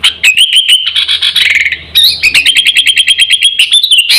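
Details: Lively sooty-headed bulbul lure call for luring wild birds and training caged ones: a sustained wavering whistle, a brief pause, then fast repeated ticking notes over a steady whistled line.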